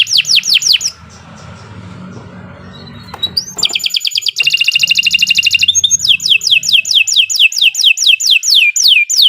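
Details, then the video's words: Canary song used as a master recording to prompt other canaries to sing: fast descending whistled slurs in series, then a rapid buzzy trill and more repeated downslurred notes, with low background rumble early on. "Kicau Burung Kenari 148 II LUAR BIASA GACOR PANJANG Cocok untuk Masteran"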